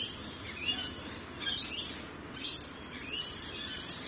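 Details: Rainbow lorikeets in Australia giving dense, overlapping high-pitched screeches and chatter, several birds calling at once in a continuous noisy flock chorus with no quiet gaps.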